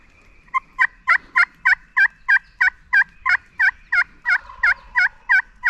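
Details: A Wild Turkey, off the roost on Virginia national forest public land during a hunt, gives a long run of loud, raspy, evenly spaced notes, about three each second, in a quiet morning setting.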